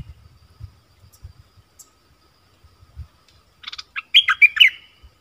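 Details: Stripe-throated bulbul singing on 1 April 2021, with a caged bird and wild birds nearby: after soft low thumps, a rapid bubbly phrase of slurred whistled notes rings out near the end.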